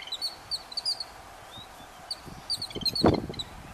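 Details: Yellow-billed babblers feeding their chicks: bursts of short, high chirps repeated in quick succession, with low thumping and rustling noises late in the sequence.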